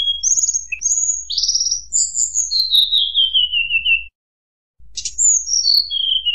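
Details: White-browed shortwing song in flute style used to provoke rival birds, with bright whistles, a buzzy rising note and a long run of notes sliding lower, then a short gap and another falling series.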